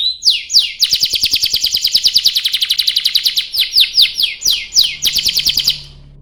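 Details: Canary in long, energetic rolling song meant to lure other canaries into singing: quick descending whistles leading into a sustained rapid trill, then further swooping notes, loud and clean, ending abruptly.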